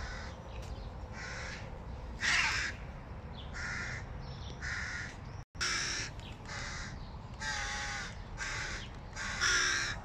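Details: Hungry hooded crow chicks begging loudly on seeing their father arrive with food: harsh, rasping caws repeated in bursts roughly every second, some louder and hoarser, with a brief break midway.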